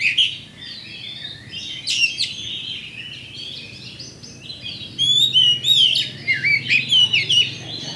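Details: Oriental magpie-robin champion lure song for provoking birds to fight: a subdued, hissy stretch gives way to loud, quick whistled notes and slurred chirps in the second half.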